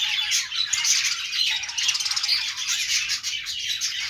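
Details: Singing budgies: busy twittering and squeaky warbles overlapping densely, interspersed with short bright whistles and rough squawks, steady volume throughout.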